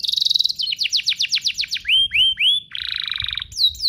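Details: Two lively canaries in song, meant to prompt young canaries to sing: fast high trill, a run of descending slurred notes, three rising whistles, a buzzy rattle, then closing upward sweeps.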